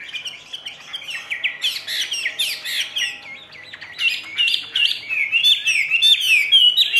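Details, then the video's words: Caged Chinese hwamei with "ngũ trường" song: dense, jumbled whistling and chattering, notes packed closely together and growing louder and busier in the second half. "HM 673 NGŨ TRƯỜNG ,XÒE CỨNG"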